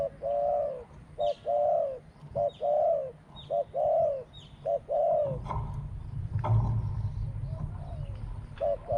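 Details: Spotted dove from decoy trapping, small-voiced with two quick 'kuk' notes before a long 'ku-ang'. Clear short-long coo pairs repeat about every second for five seconds, then noisy rumbling takes over with faint coos at the end.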